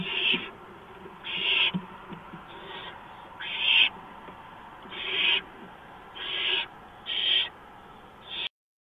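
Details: Barn owl at its nest at 4:26 AM on 6 March 2015, mouse brought in; seven rough, hissing bursts at uneven intervals, then the sound stops abruptly into silence.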